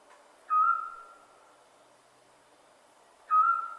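A scops owl gives two short, clear whistled notes, about three seconds apart. Each is a steady, mid-pitched 'tyoo' that fades away, against a quiet background.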